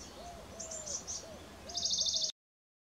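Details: Eurasian blue tit giving thin, very high notes, then a fast buzzy trill near the end. Softer, lower arched whistles run underneath.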